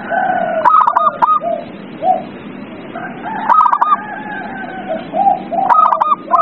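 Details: Zebra dove song for prompting a quiet dove: bursts of quick, tremulous coos mixed with lower, rounder hoots, several birds' phrases overlapping, with steady hiss behind.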